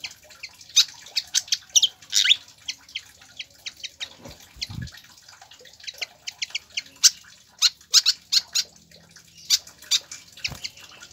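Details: Pied fantail song for tutoring captive birds to sing: long bursts of rapid, high, crisp chirps with a brief gap and a soft low thump midway.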